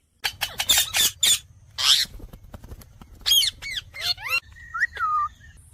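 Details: Parrot calling in a compilation of pet Mithu parrots: loud, harsh, high squawks in rapid bursts, then a pause and a run of sharp rising and falling shrieks, ending with thinner whistled notes.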